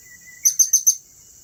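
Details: Blue-crowned hanging parrot at Turipos, Tenom, giving four sharp, very high chirps in quick succession within about half a second, over a steady high-pitched insect-like whine.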